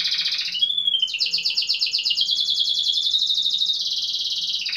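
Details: Domestic canary at a Brazilian song contest in Pelotas pours out an unbroken stream of rapid pulsed trills, shifting pitch from a dipping whistle into a long high rolling phrase and back to a lower buzz.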